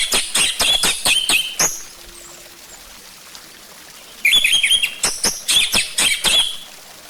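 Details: Orange-headed thrush song played as a lure to prompt other birds to sing: fast high chirps and sharp ticks mixed with short whistled phrases in two bursts, separated by a quiet gap with steady background hiss.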